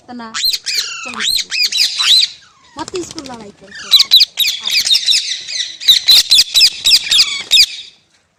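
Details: Green parrot, a pet presented as talking, mixing wavy whistled squeals with harsh chatter and a rapid burst of clicks, then dense screeching runs before falling quiet.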